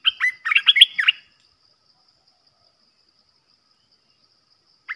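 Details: Caged olive-winged bulbul used as a trapping decoy gives a short, loud flurry of bubbling whistled notes, then silence, then one sharp chirp at the end.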